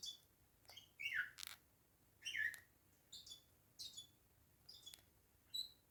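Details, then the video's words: Bourke's parakeet grinding its beak, giving soft scattered twittering chirps mixed with brief scratchy clicking bursts, quiet and close, about a second apart in a still indoor setting. "Satisfying beak grinding sound"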